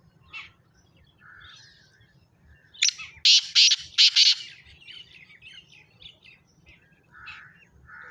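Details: Black francolin (kala teetar) giving a loud burst of four rasping, broadband notes in a tight series, surrounded by thin chirps and whistles of other birds, with a man's voice close by.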